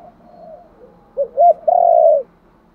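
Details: Soft murmuring coos from a spotted dove, then one loud calling phrase, gáy gọi style: two short looping notes and a long, steady, drawn-out coo, in a quiet setting.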